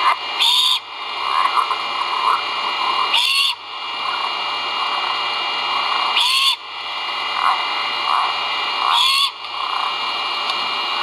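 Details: Great horned owl chicks at their nest during a feeding, caught on a live camera at Skidaway Audubon on 1.04.2022; four rough, breathy screeches recur roughly every three seconds, with soft chatter and steady hiss beneath.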